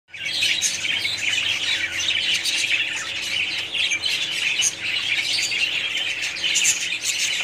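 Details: Colony of budgerigars chattering together, a dense continuous wash of high warbling chirps and squawks from many birds at once, with no pauses or single voice standing out.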